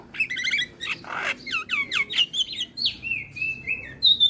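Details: Javan myna song used as a lure for other starlings: a chattering series of slurred, falling whistled notes and a harsh rasp, ending in drawn-out thin whistles.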